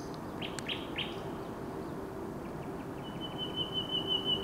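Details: Common nightingale singing on 16 May 2023: a few short rising chirps, then a long, steady, pure whistled note held near the end, over a low constant background hum.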